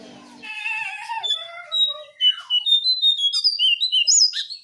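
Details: Brown shrike sound meant to lure other birds: it opens with lower warbled notes, then a quick string of sharp, high chirps repeated about twice a second, each slightly different, rising toward the close.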